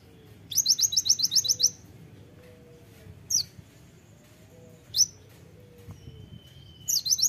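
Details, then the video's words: Javan sunbird (kolibri ninja) singing hard: an opening rattle of about ten very high, sharp notes, then spaced single chips and soft thin whistles, ending with another quick pair. "masteran kolibri ninja (konin) gacor full tembakan suara tajam"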